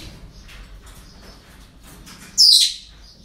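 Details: A parrot at a breeding centre on an ordinary day gives one sudden, harsh, high screech near the end, after faint scattered chirps and a low steady hum.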